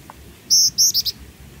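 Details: Black-winged flycatcher-shrike, a small bird singing actively in a training recording, gives four thin, very high chirps in quick succession, the first two drawn out and the last two clipped, with a faint hiss behind.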